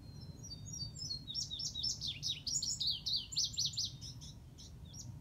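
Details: An Indigo Bunting (Passerina cyanea) sings over the ruins of Van Slyke Castle at Ramapo Lake, Oakland, New Jersey. It gives a bright, high run of paired sweeping notes lasting about three seconds, quick and slightly buzzy, over a low steady rumble.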